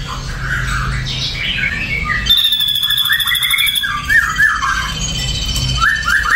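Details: Ashy drongo giving a jumble of short squawky, slurred notes over a low background rumble, with a high buzzing trill running through the middle.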